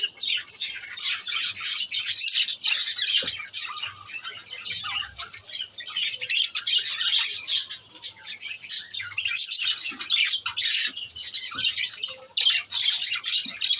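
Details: Several lovebirds keep up a constant high, squeaky chatter of overlapping twitters and shrill notes with barely a break throughout.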